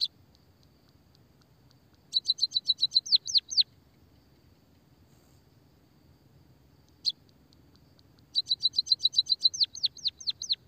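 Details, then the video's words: Munia song (emprit kaji), a lure for caged munias. Two separate bouts, each a fast burst of high ticking notes that ends in several down-slurred whistles. A single sharp chirp falls in the silence between the bouts. "pancingan suara burung pipit emprit peking bondol kaji gacor kikikikikik"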